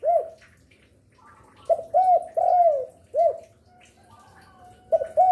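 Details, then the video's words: Spotted dove singing to draw in other doves: an arched coo, then a full phrase of short note, curved coo, long drawn falling coo and a final arched coo, with a new phrase beginning at the end. "Derkuku gacor rajin bunyi siang sore malam cocok untuk pancingan"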